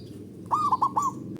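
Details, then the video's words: Male zebra dove giving a ngerot ngoar style call, meant to stir mating drive in a quiet bird: one brief phrase of three quick, rolling coos, over low background hum. "Ngerot Ngoar Naikan Mental Dan Birahi Kutut Malas Bunyi"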